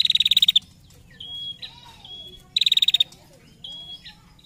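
A female prinia gives two sharp, rapid ticking trills of about a dozen notes each, with thin high whistles between them.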